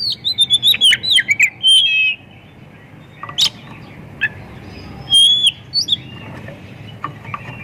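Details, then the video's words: Song of an Oriental magpie-robin, rich in varied filler phrases, meant to draw other magpie-robins into singing; opens with a fast string of bright whistled notes and a long warble, then sparser chirps, a rasping burst and high slurred whistles. "Kacer gacor full isian pancingan burung Kacer"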